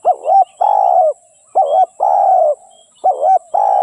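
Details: Spotted dove decoy bird used as a lure for trapping wild doves, Malay-line hen; low hoarse cooing phrases, a short dipping coo then a longer drawn-out coo, repeated in pairs about every 1.5 seconds, no other sounds.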